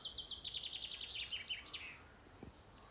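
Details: Common chaffinch (Fringilla coelebs) singing in Scottish woodland, on a walk to Heronsford. The song starts somewhat like a willow warbler's but isn't one. A bright, rapid run of repeated notes cascades downward to a brisk flourish, about two seconds long.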